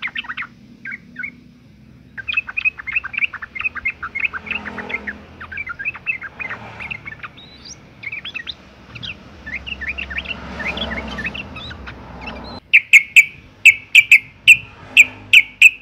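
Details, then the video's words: A female sooty-headed bulbul in breeding condition calls to males, used as a lure to prompt their song: long runs of rapid twittering chirps, then a series of loud, evenly spaced sharp notes near the end. "suara panggilan burung trucuk betina gacor birahi"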